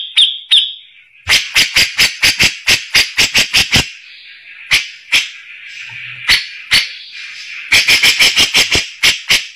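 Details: Grey-cheeked bulbul, a rough-voiced tutor bird for white-rumped shamas, giving harsh, clicking, rasping notes in quick irregular bursts, with two short high whistles at the start and a faint hissing background.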